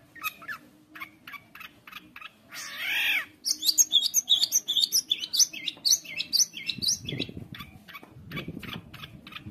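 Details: Long-tailed shrike song used as a master for young birds: scattered high chips, a short wavering buzzy note, then a fast rattle of sharp squeaky notes, with two low muffled thumps near the end.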